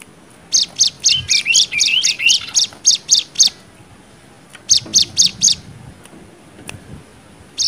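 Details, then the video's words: Cigun nembak song, a tutor recording for young birds: a fast run of about a dozen high, clipped chirps, a pause, a shorter burst of four or five notes, then a final single chirp. "MASTERAN CIGUN NEMBAK 6 VARIASI"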